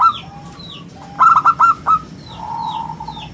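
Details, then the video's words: A local zebra dove singing eagerly, its round, clear voice meant as a lure and master for other birds; one stuttered phrase of five soft, rounded coo notes mid-way, with faint chirping of small birds around it. "perkutut lokal gacor suara istimewa buat pancingan dan masteran"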